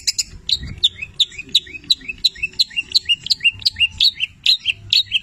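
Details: Cendet 'petir' long-tailed shrike in full song, mixing in labet and canary imitations; crisp, repeated downward-slurred whistled chirps, about three per second, steady and bright.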